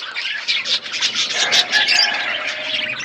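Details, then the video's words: A group of budgerigars in an aviary with a forest setting chatters in quick, high, scratchy chirps, with a few clearer whistled notes standing out. "Budgies parrot in forest environment aviary birds chirping sound"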